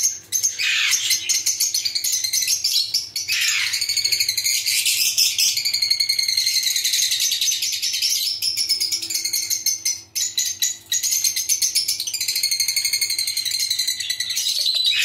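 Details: Lovebirds calling together in a colony, a dense continuous mass of shrill, squeaky chirps and screeches overlapping throughout, with brief dips in the chorus around four and ten seconds.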